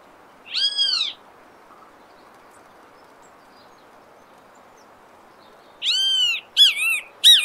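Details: Wild great kiskadee in Brazil: one arched, rasping note near the start, a long quiet gap, then a burst of three or four strident, bending notes closing the stretch.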